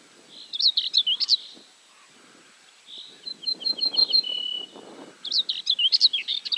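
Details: An ortolan bunting, recorded 3 June 2017 at Julków, gives a high, ringing run of repeated notes that ends on a few lower, drawn-out tones, with twittering high phrases before and after it.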